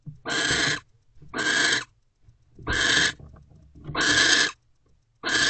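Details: A pair of owls mating in a nest box on January 20, 2024, at 3:33 pm. Loud, hoarse, hissing screeches come in bursts of about half a second, repeating about every second, with faint low rumbling in the gaps.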